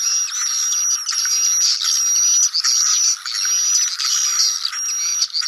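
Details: Swiftlet colony, sedot anakan lure sound suited to new buildings; steady high thin whistle held over a constant bed of chattering calls from many birds.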